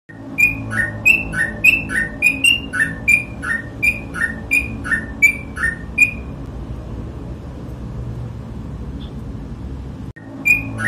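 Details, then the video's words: Sooty-headed bulbul singing in the rapid ropel style: a fast run of clear whistled notes alternating high and lower, each with a slight downward slur, about three per second for six seconds, then a pause and a fresh note. "TRUCUK GACOR ROPEL"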